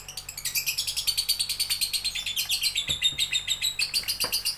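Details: Lovebird singing: a fast, continuous stream of high, sharp chirps and squeaky twitters, about three notes a second in a steady pulsing rhythm, heard indoors with faint low background hum.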